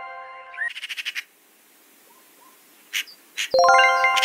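Eurasian Magpie giving a brief, harsh, rapid chatter of about six dry notes, then two more rasping notes, between chiming musical jingles.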